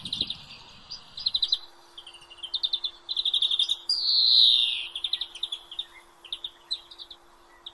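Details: European greenfinch singing: fast rattling trills of high chirps in short bursts, broken midway by one long, drawn-out nasal wheeze that slides downward, then more trilled phrases.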